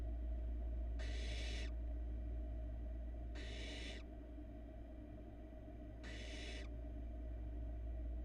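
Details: Florida barn owl nest camera shows the youngest nestling swallowing a large rat; three raspy, snore-like hisses at intervals of two to three seconds, with constant low hum underneath.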